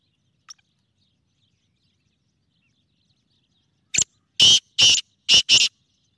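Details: After a long silence, a black francolin gives a brief click then four harsh, scratchy, grating notes in quick succession, loud and close.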